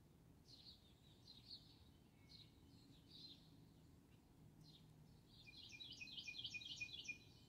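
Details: Cardinal song recorded February 4, 2021: faint scattered chirps at first, then a bright series of rapid repeated slurred notes near the end, over constant low background hum.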